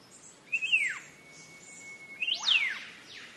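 Green leafbird song: two loud, slurred phrases that sweep up and down, linked by a thin, steady whistled note, over a soft hiss of background noise.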